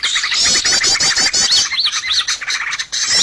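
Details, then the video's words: Bird lure sound used to attract birds for trapping: a dense mix of high, rapid chirps and buzzy trills, with several clear arched whistles in the middle and calls tumbling over each other throughout. "SUARA PIKAT BURUNG paling d cari!!"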